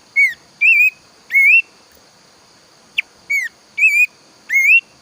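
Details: Planduk semak bird, a loud singer heard in the morning and toward evening, gives six ringing whistled notes in five seconds, each short and rising or gently wavering, with one sharp click midway over a constant high-pitched hum.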